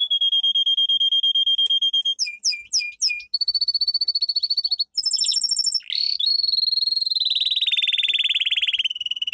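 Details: Domestic canary singing a training song: a sustained pulsing trill, a burst of looping whistles, another rolling trill, then a long wavering tour that slides gradually lower.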